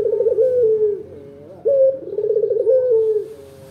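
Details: Loud local puter dove coo for luring other birds to answer: a vibrating, falling coo, a soft pause, then a sharp rising note and another rolling, throaty trill.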